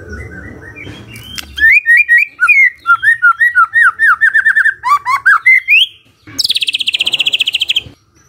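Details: Morning magpie-robin singing, meant to make a silent bird reply. A long chain of clear whistled slurs, many sharply down-slurred, runs for about four seconds. A fast, high chattering trill follows after a short pause.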